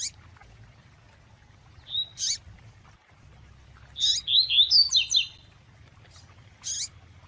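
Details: Double-collared seedeater (coleiro tui tui), female calling to excite the male: sharp high chirps at intervals, then a fast burst of buzzy twittering notes over about a second. Low hum underneath.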